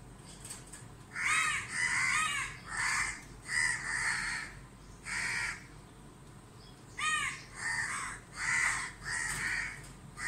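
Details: Several crows caw harshly in overlapping bursts of one to two seconds while mobbing a barn owl in dazzling sunlight at a house in Dhaka, Bangladesh.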